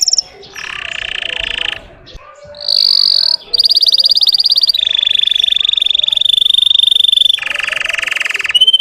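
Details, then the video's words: Russian canary song for provoking other canaries: a chain of long, sustained trills and rolls, each held for one to two seconds, shifting between low and high pitches with little pause. "SUARA BURUNG KENARI RUSIA UNTUK MANCING EMOSI BURUNG BAHAN"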